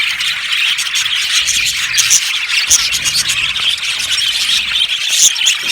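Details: Australian budgies in a colony aviary keep up constant high chirping, a dense chatter of squeaks and short whistles, with a few bright piping notes standing out.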